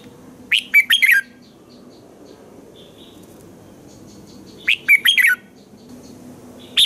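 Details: Red-whiskered bulbul singing in the morning, used to train other bulbuls to sing: two short bursts of bright, warbling whistled notes about four seconds apart, each a quick cluster of three or four phrases, over a faint steady background hiss.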